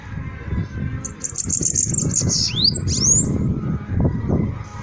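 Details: Singing bananaquit giving a rapid, very high-pitched stuttering series of about eight ticks, then two swift swooping whistles, heard above a constant low background rumble.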